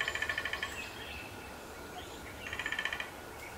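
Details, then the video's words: Male downy woodpecker in Appalachia drumming on an old black walnut in terraced farmland. Two short, fast rolls of taps about two seconds apart, heard over a constant background hiss and hum. "Downy Woodpecker Drumming on Black Walnut"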